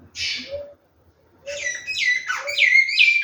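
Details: Large-billed seed finch kept at a breeding setup: a short buzzy burst, a second's pause, then a rapid string of sliding, whistled notes dropping and rising in quick succession.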